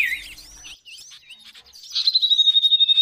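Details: Common iora song used as training audio for cage birds: varied whistled slurs and chirps, then a long steady high whistle with a rapid pulsing trill beneath it.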